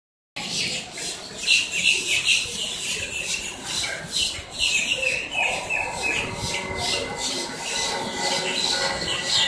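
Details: Blackbirds up close in Miami, Florida, making quite a racket: a dense, continuous chorus of harsh, overlapping squawks and shrill chirps from many birds, with short high notes tumbling over one another throughout.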